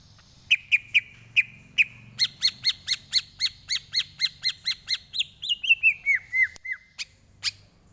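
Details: Tutor recording of greater green leafbird song: a few spaced sharp notes, then a long rapid run of crisp repeated ticks sliding into a descending chain of slurred whistles, ending with two isolated clicks.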